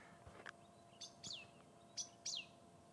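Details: A thrush near a pearl-spotted owl on a sunset drive on 6 December 2016 gives high, thin, sharp alarm calls, likely mobbing the owl, about four short squeaky downslurs in three seconds, over faint low background noise.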